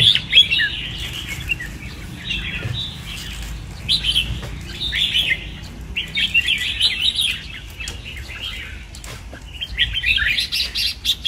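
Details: Red-whiskered bulbul kept in a training cage sings repeated bursts of chattering, warbled whistles, each phrase about a second long and separated by brief pauses, with faint clicks and a low rumble underneath.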